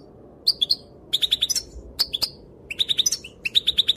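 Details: Female European goldfinch calling; her calls are said to make males dance. Bright high chirps come in quick clusters of three to five, with short pauses between bursts, over a faint low background hum.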